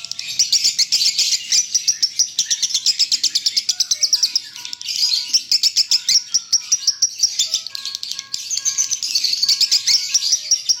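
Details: A long konslet performance by a lovebird in the 'broken neck' style: rapid, high, chattering notes pour out almost continuously, with brief surges of denser buzzy trilling between the steady runs.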